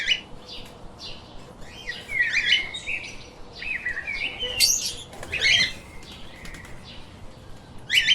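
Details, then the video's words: A flock of pet lovebirds keeps up a steady stream of scratchy chirps and squeaky twitters, with louder harsh outbursts near the middle and the end. "Explore The Chirping little Parrots"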